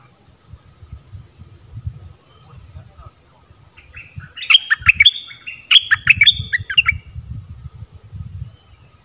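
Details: Stripe-throated bulbul song played as a lure recording to teach young birds and draw in wild birds: a burst of bubbly, warbled phrases over about three seconds, with low rumbling and murmuring underneath.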